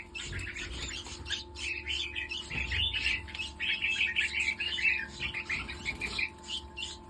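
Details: Red-whiskered bulbul, a captive hybrid bird awaiting sexing, giving a continuous run of quick chattering, warbled notes, busy and fairly soft, over a constant low electrical hum.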